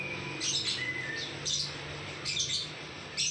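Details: Lovebird ngekek: about four shrill, squawky chattering bursts, each roughly half a second long and coming about once a second, with a low hum behind.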